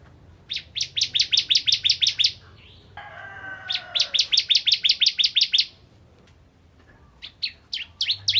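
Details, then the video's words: Bar-winged prinia (ciblek kristal) in full song to provoke other prinias: bursts of quick, sharp, high chipping notes, a short lower rasping sound between them, then scattered single chips. "Burung Ciblek Kristal Gacor Untuk Pancingan Burung Ciblek Semi Ciblek Gunung Dan Ciblek Kristal"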